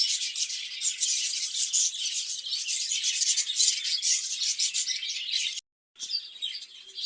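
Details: Budgerigars housed in a cage to breed, chattering in a dense stream of high twittering notes and rasping chirps, cut by a brief silent break near the end before the chatter resumes more softly.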